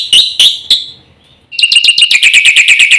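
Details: Black-winged myna fast full song, used to draw song from silent birds: three loud harsh notes, a pause, then a fast, steady run of repeated chattering notes.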